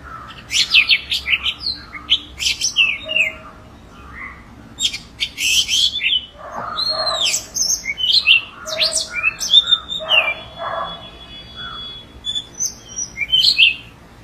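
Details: A pair of wild orange-headed thrushes sing rich, varied phrases of high whistles, slurred notes and quick chattering runs, broken by short pauses, with some harsher, lower rasping notes in between.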